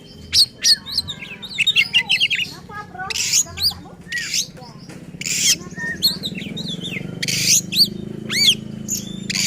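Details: Agitated oriental magpie-robin singing to provoke rivals: scattered whistled sweeps and harsh rasping bursts over a low murmur of background noise, phrases broken by short gaps.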